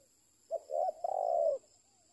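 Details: A spotted dove gives one complete low cooing phrase, a brief clipped note, then a medium coo and a long rolling, slightly tremulous final croo, with near silence around it apart from a faint high electronic hum.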